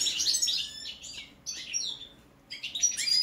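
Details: Balkan goldfinch singing brief bursts of high, tinkling twitter phrases separated by short silences, with a sharp thin whistle near the end.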